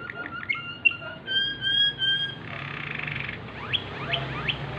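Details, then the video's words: At night a Waterslager canary sings softly against a low background hum, giving short whistled notes and sustained tones, then a quieter rapid roll and several quick upward-sweeping chirps. "Canary Waterslager Singing in Night"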